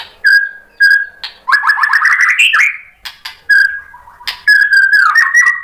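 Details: Provoking song of a white-rumped shama: clear steady whistled notes alternate with fast rippling trills and rising warbles, the phrases repeated with brief gaps between them.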